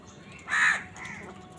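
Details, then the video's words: A single loud, harsh, drawn-out caw from a crow fighting wild birds for food, followed by a softer trailing call. "Crow bird crowing sound | Crows fight with wild birds for food"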